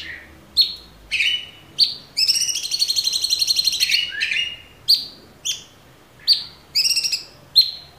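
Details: Cucak cungkok (Orange-bellied Leafbird), a cage bird singing a 'tembakan' burst used as master training song: high sharp chirps, then a buzzy trilled phrase near the middle, followed by separate bright upslurred notes about once a second.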